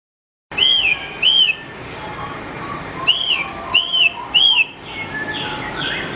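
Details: Horsfield's bush lark song for training other songbirds: clear whistled notes that rise then fall, in two quick pairs and then a run of three, over a soft hiss with faint distant calls.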